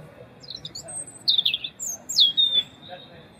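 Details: European robin giving its typical winter song, loud and melodious; males and females both sing in winter. Thin, high whistled phrases, with two bright descending slurred notes standing out over a faint low background.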